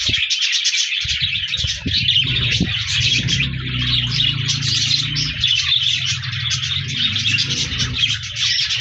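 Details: Group of budgerigars (parakeets) on 14 January 2024 filling the air with constant high chirps and warbled chatter, layered over a low steady hum and occasional knocks.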